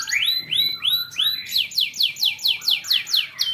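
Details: Young canary song meant to encourage young canaries to sing: four rising whistled slurs at first, then a quick series of downward-sweeping high notes repeated about three times per second.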